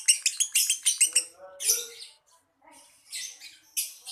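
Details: Lovebird singing in the Indonesian konslet style called mewah gaya mangap, a fast burst of harsh high chirps that run together, a brief lull, then further scratchy chattering bursts.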